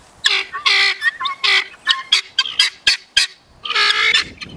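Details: Several male helmeted guineafowl gather giving harsh, grating calls in quick, uneven bursts, a ruckus with no apparent reason; possibly an alarm or a display to females.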